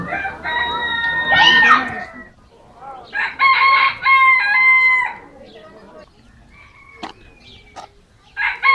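Roosters crow in loud, harmonic-rich bursts of one to two seconds, with a shorter crow near the end, over faint background noise.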